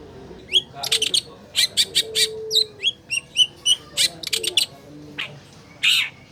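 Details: Long-tailed shrike singing on a lure track for a silent caged bird: a lively run of sharp chips, upswept whistles and brief harsh notes in quick succession, ending with a rasp.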